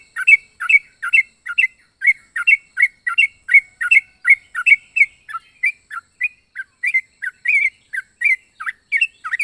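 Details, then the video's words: Strange-voiced yellow-vented bulbul chirping continuously in a quick, uneven string of short looping notes, several per second throughout. "Burung trucuk unik suara aneh"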